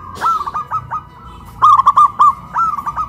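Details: Local zebra dove in Kuningan, West Java, raised on a pole and cooing; a rolling string of soft rounded coos building into a louder quick phrase, faint background hiss.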